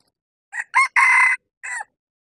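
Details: Male decoy red junglefowl crowing on a bamboo-forest mountaintop, used to lure wild junglefowl: a short opening note, a rising second note, a long harsh sustained middle, then a brief final note after a pause, cut off abruptly.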